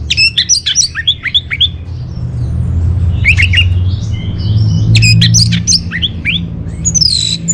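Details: Orange-headed thrush giving a lure and master song for caged birds: fast series of descending whistled notes, a pause, then more rapid sharp phrases and a rising final whistle, over a low rumble.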